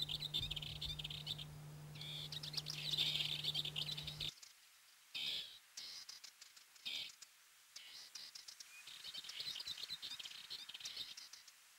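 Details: Rock Bunting, a rare or passage bird in Corrèze, France, giving thin, high, short call notes in scattered bursts, some quick and clustered, others spaced out; a low steady hum runs under the opening seconds.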